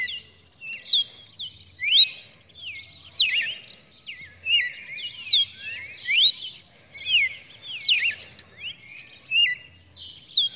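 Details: Red-cowled cardinal in song, 23 June 2019: clear sliding whistled notes, some rising steeply and others dropping, strung into lively phrases about once a second, with a faint low thumping in the background.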